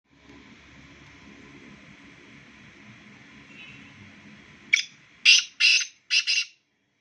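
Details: Two black francolins call, and a loud harsh burst of four grating notes comes at the end after a steady hum in the background.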